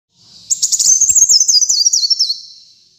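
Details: Brown-throated sunbird in full song, used to tutor and lure other birds: a very high, rapid trill of tight notes sliding slowly downward for nearly two seconds, then fading out.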